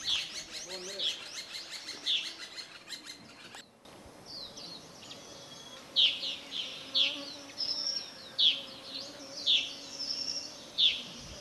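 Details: Whiskered yuhina near the summit of Doi Lang, northern Thailand, giving high, sharp down-slurred chips about one a second over a softer background twitter of other birds.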